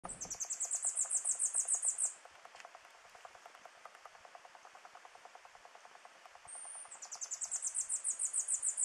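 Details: Near-endemic Tanager Finch at Montezuma, Western Andes of Colombia, in May, giving very high, thin notes in quick trilled bursts of about two seconds, over a steady low pulsing insect hum.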